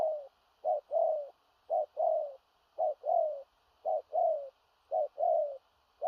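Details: Large spotted dove delivering a forceful 'thổ rặc' coo that carries far, brisk, with stuttered cooing: six regular cycles of a short low note and a longer falling coo, close to one per second, against a soft background hiss.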